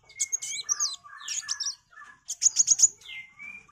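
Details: Sunbird song, locally kolibri wulung, in a lively gacor style kept as tutor song for magpie-robins: high thin chirps and trills, sliding whistles near the lower band, a fast burst of sharp notes midway, then drawn-out rising whistles.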